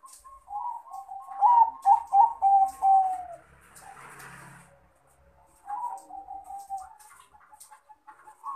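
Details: Crossbred Bangkok zebra dove, a male calling out to a rival, giving a long string of soft, rapid rolling coos that trail downward, then a pause and a second shorter cooing phrase.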